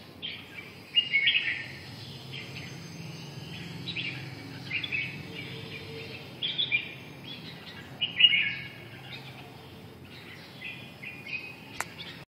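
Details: Red-whiskered bulbul delivering repeated lively warbled phrases every second or two, bright and chirpy with some louder accented notes, steady low background hum throughout.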